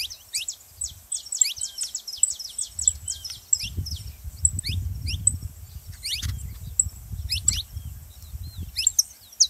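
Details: Saffron finch song played to get canaries singing: scattered high descending chips and brief rattles in several bursts, partly masked by persistent low rumbling noise.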